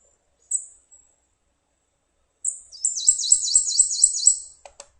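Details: Prothonotary Warbler, a riverside (riparian) bird heard around the James River, sings its "sweet sweet sweet" song: a quick series of about seven bright, high, ringing sweet notes, evenly repeated after a couple of short lead-in chips.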